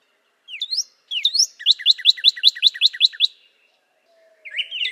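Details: Northern Cardinal (Cardinalis cardinalis) gives two rising slurred whistles, then a rhythmic string of about nine crisp repeated notes, ending with a softer warbled phrase.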